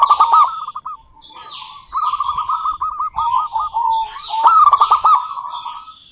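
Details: A local female zebra dove calls a rival in quick, trilling coo phrases, opening and near the end with loud sharp bursts; other birds chirp and twitter in the background.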